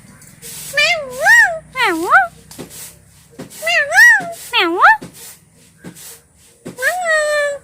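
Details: Pet talking parrots repeat mimicked words with strongly swooping, up-and-down voiced tones in quick pairs, followed by a longer flat word. Clicks and light tapping sound between phrases.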